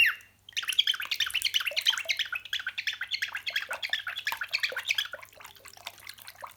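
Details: Pet cockatiel imitating the sound of running water: a continuous burbling stream of rapid, rough gurgling notes lasting about five seconds, fading toward the end, with a faint low hum beneath.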